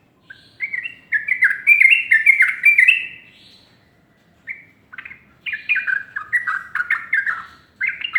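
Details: Yellow-vented bulbul singing in the morning: lively chattering phrases of quick, slurred notes, rising and falling, in two bursts separated by a short pause.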